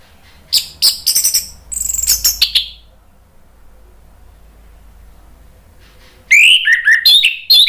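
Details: Orange-headed thrush song for stimulating birds to sing: a rapid cluster of sharp high chattering notes, a three-second quiet gap, then a fluid run of rising and falling whistles.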